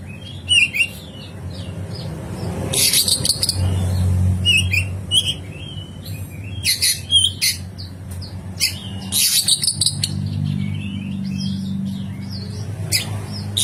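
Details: Oriental magpie-robin rough fill-in song (isian kasar) for kacer training therapy: harsh chattering bursts and short whistled notes, irregular and fast, over a low rumbling background.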